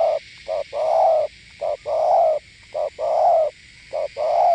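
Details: Spotted dove from Northwest Vietnam, gù (bo) style cooing: loud low hoots in regular short-long pairs, roughly fifty notes a minute, clear over a faint high hiss.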